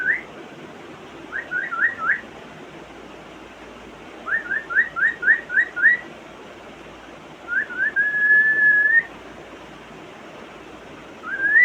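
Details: Household African grey parrot in mimicry mode: bursts of quick rising whistled notes in groups of three to six, then a long, slowly rising whistle and another rising note.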